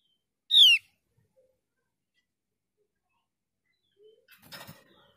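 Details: Javan grey-throated white-eye lure sound meant to get a reluctant bird singing: a single sharp, falling whistled note early on, then silence and a few soft scraping and rustling noises near the end.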